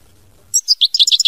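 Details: Singing European goldfinch, mama binette style: after a short silence, a few well-spaced bright chirps quicken into tight, high twittering.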